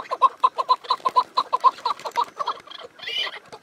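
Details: Rapid repeated chucking from a chukar partridge: clipped clucks come in quick pairs and triplets, loud at first and then trailing off into softer, looser notes, with a brief rustling hiss near the end.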